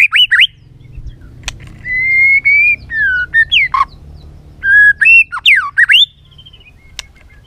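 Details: White-rumped shama singing a varied multi-voiced song, used to stimulate and train other shamas: clear whistled phrases, some long and level, others swooping up and down, separated by short pauses, with occasional sharp clicks.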